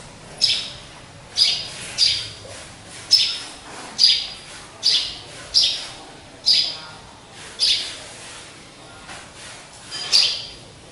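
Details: Pet sparrow caged on its own up high, calling a lot: a steady series of about eleven crisp high chirps, close to one per second, over faint background noise.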